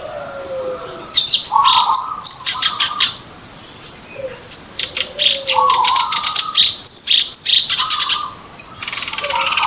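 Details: Song of a sooty-headed bulbul played as a trapping lure, with busy phrases of mid-pitched warbles mixed with high sharp chirps and rapid clicking bursts, repeated in two clusters with a short pause between.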